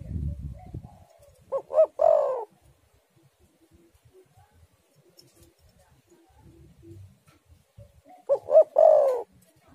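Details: Spotted dove cooing used as a lure to get doves singing: a phrase of short notes ending in a drawn-out coo near the start, a long quiet gap with faint low noise, then the same phrase again.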